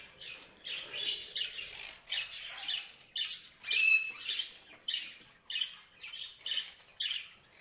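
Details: Parrot chirping in a series of short, harsh, high chirps and squawks, about one every half second, with a few louder squeaky notes early on.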